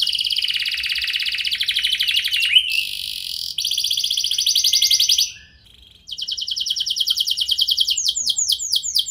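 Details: Canary in full song, a lure meant to prompt other canaries to answer. Long dense rolling trills of high buzzy notes break off briefly, then resume as fast rhythmic pulses after a short silence.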